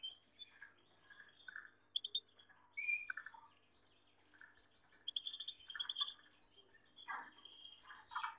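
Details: Varied chattering song of a male Gloster canary with a female, mixing sweeping whistles, buzzy trills and quick chirps in dense phrases with short pauses between them.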